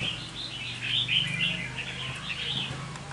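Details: Caged red-whiskered bulbul kept as a lure bird, singing a rapid run of bright warbled notes. A low mechanical hum drones beneath.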